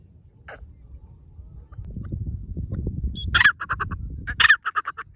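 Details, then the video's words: Partridge calling loudly in a forest, described as happy: after a stretch of low rumbling background noise, a burst of harsh, stacked notes, one strong note followed by quick repeated shorter ones, twice near the end. "The partridge is very happy in the forest and makes a loud noise"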